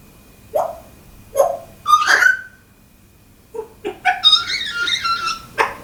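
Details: Pet African grey parrot indoors in a small room, talking and making funny sound effects: short voice-like syllables, a bright whistled note near two seconds, then a burst of rapid, buzzy, chattering sound effects toward the end.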